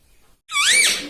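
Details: Talking pet parrot producing a single squeaky, nasal syllable that rises then falls, about half a second long, in a small room.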